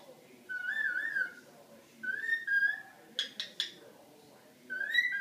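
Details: Pet cockatiel singing to a Havanese dog: warbling whistled phrases with harmonics, rising then falling, in three bouts, broken by three short harsh chirps in quick succession near the middle.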